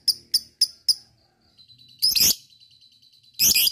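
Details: Lovebird played to make other lovebirds excited and sing: four sharp high chips, a thin hold, then two harsh, raspy bursts of chatter.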